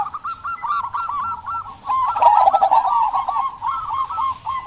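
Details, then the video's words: Zebra dove of local stock singing steadily, used as a lure to get quiet doves to sing: dense, continuous rolling coos in quick bubbling runs, pitch wavering slightly, with faint higher chirping in the background. "Perkutut lokal gacor buat pancingan perkutut pendiam agar bunyi"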